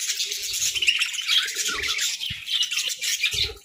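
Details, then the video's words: Pet budgies eating grass and nutrient-rich moringa during winter feeding give a steady, high, scratchy chirping chatter, with soft low crunching and pecking sounds from the feeding heard beneath it. "Budgie Serenade Amidst Moringa Munchies!"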